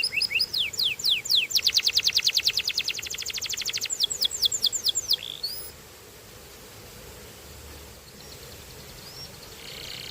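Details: Belgian canary in song: rising-falling whistled sweeps that speed into a dense rolling trill, then slower sweeps and a final upslurred note, followed by near silence with faint hiss.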